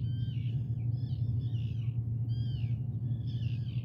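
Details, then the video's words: Common raven calling in rough, grating notes, about four separate bursts spaced roughly a second apart, set against a constant deep rumbling hum. "Common Raven"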